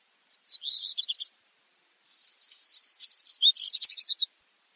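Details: Black redstart song: a short scratchy phrase, then a fast string of clicking, rattling notes and a final bright, jerky trill, all high-pitched, in two bursts separated by a pause of about a second.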